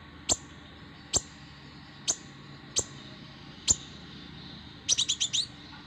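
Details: Plain flowerpecker (kolibri ninja), a young fighter bird: single piercing high ticks spaced about a second apart, five in a row, then a fast run of five high chipping notes at the end; faint low rumble behind.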